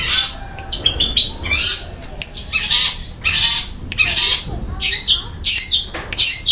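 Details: Long-tailed shrike in full song with coarse 'isian kasaran' filler phrases and rapid 'tembakan roll speed' shots: harsh, scratchy high bursts repeated irregularly, a few thin whistled notes between them, low background hum.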